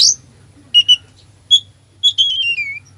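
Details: Oriental magpie-robin in mimicry-laden song used to provoke a sluggish bird: paired short whistles, a single clear note, then a warbled run ending in a gently falling whistle.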